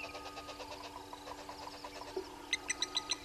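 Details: Red-billed hornbills below a live waterhole camera at Gowrie dam, Djuma Game Reserve, Sabi Sand Wildtuin, South Africa, at 06:32: a quick run of dry clucking notes, then a few thin high pips near the end.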